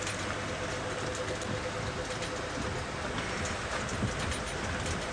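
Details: Steady broadband rumble like rain or a running vehicle, with no animal calls.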